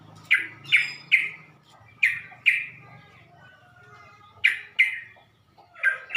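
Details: Yellow-vented bulbul lure call to provoke rival bulbuls: sharp, bright chirps given singly or in quick runs of two or three, separated by gaps, over a faint low hum.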